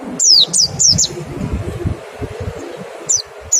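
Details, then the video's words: Kept-bird white-eye 'nembak' song used as a lure to trigger singing: four sharp, high, falling whistled notes in quick succession, a gap of low rumbling noise, then two more lone high notes. "Suara PLECI NEMBAK dan PANCINGAN NGECAL... Sangat EFEKETIF buat rangsang CEPAT BUNYI"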